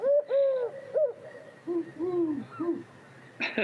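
A Eurasian Collared Dove gives its soft, hollow three-note coo twice, the second phrase pitched lower, followed by a brief clatter at the end.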